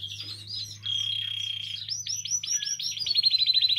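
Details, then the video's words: Canary in song, offered to prompt canaries to sing: chirps lead into a long, steady high whistle, then quick repeated looping notes that speed up into a tight rolling trill, with a low hum behind. "Canario Cantando. (Ideal para ESTIMULAR canto de canarios)"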